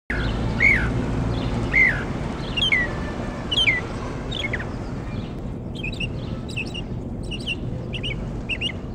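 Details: Mockingbird in Jackson, Mississippi: a series of clear, slurred whistled notes bending downward, repeated about once a second, followed by quieter high chip clusters, over steady low background rumble.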